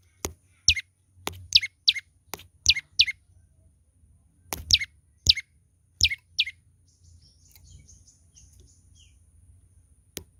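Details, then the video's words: Lively song of a young olive-backed tailorbird: shrill falling chirps in closely spaced pairs for about six seconds, mixed with crisp clicks, then fading into quiet rustling. "burung prenjak lumut muda gacor"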